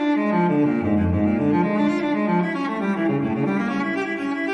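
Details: Bowed string music, deep cello-like notes with rich harmonics throughout; no animal voice.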